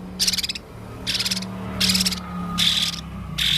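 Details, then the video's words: Strange sounds from an active male Blue-crowned hanging parrot: harsh, buzzy rasping bursts repeated about once every second, five in all, over a steady low hum. "burung serindit jantan gacor full suara aneh"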